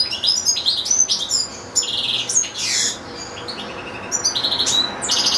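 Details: European goldfinch in a cage alongside goldfinch-canary hybrids, delivering a long recital; bright, quick twittering song of high chirps, short trills and a brief buzzy slur in the middle, a pause, then further rapid tinkling notes.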